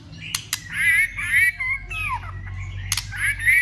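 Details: Fighting song of a white-rumped shama, tail-flicking to provoke other birds: two sharp clicks, then loud warbling whistles, a falling slurred note, more clicks and renewed warbles.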